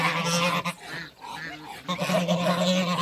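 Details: Muscovy ducks, two males and one female, in a backyard with other waterbirds; rough breathy hissing and huffing calls with low buzzy tones, in bursts with a short pause midway.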